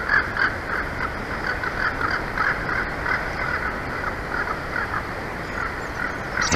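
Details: From a nest cam in Big Bear Valley, California, 2 April 2024 shortly after noon, a mated pair of bald eagles at the nest gives rapid high chirping notes, louder at first, then softer, against steady hiss.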